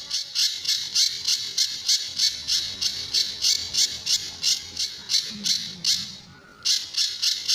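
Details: Training song of a Sunda bush warbler (pijantur) with tembakan and besetan phrases: fast series of buzzy, strident high notes at an even beat, dropping out briefly after six seconds before the rapid series starts again.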